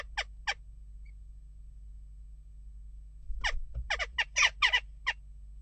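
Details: Two short harsh calls, a long pause, then a tight cluster of rapid clipped notes, from western jackdaws disturbed at a nest box.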